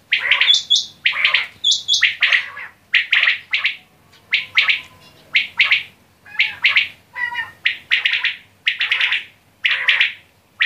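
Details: Batair quail calling persistently, with pairs and triplets of sharp, scratchy chirps repeated about once a second and an occasional high, flat whistle early on.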